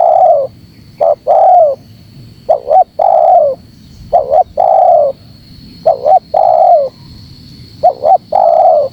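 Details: Tight-pressing spotted dove call used as a lure for wild doves: about six phrases, each a short paired coo leading into a longer downward-sliding coo, evenly spaced, with a faint high electronic tone.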